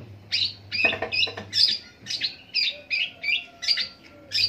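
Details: Long-tailed shrike in an extended rolling song imitating various birds: a series of buzzy, scratchy notes repeated about twice a second, some with brief harsh chattering, over a faint low hum.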